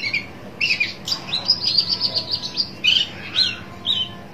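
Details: Shrike looking for a rival, giving a quick warbled phrase of high, chattering notes followed by a few separate whistled chirps.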